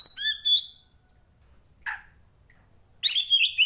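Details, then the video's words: Fighting poci Tretes kacer, an Oriental magpie-robin type, singing to rouse rival birds in training: a clear descending whistled phrase, a lone harsh rasping note after a pause, then a dense burst of loud whistles and chatter at the end. "SUARANYA BIKIN POCI KACER MANAPUN EMOSI Kacer teapot bird(Copsychus saularis)"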